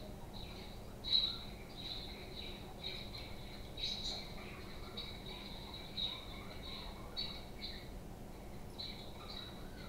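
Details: Domestic budgies chattering with quick, repeated high chirps and brief warbled notes, louder bursts standing out at about one, four and six seconds above a faint constant hum.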